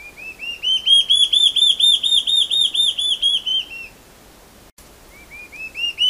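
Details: Large-tailed antshrike (borralhara-assobiadora) song: a long series of about fifteen rising, ringing whistles that climb slightly then drop, delivered about two per second, followed by a pause and the start of another series.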